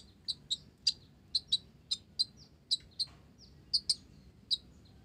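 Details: Olive-backed sunbird in full song, its song filled with Java sparrow phrases: sharp, high chirps and short clipped notes spaced irregularly about every half second, with faint low background hum.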